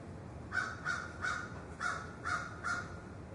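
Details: Six short, fairly faint crow caws in quick pairs and threes, rasping and clipped, set against steady background noise.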